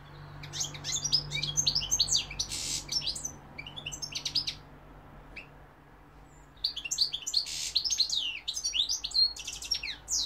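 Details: Singing European goldfinch, 2021, associated with London and Algeria: dense, fast twittering of high sliding and buzzy notes in long phrases, a brief pause near the middle, and a low steady hum beneath.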